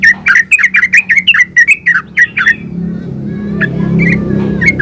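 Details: Ulpik ropel gacor song of a yellow-vented bulbul, intended as a lure so others reply: a fast string of about fourteen bubbly chirps over two and a half seconds, then sparse notes over a low hum.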